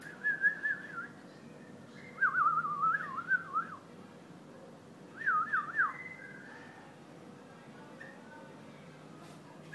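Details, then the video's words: White-eared bulbul giving three rapid warbled, wavering whistled phrases a few seconds apart, each bubbling up and down, over a quiet steady background hum. "بلبل حساوي"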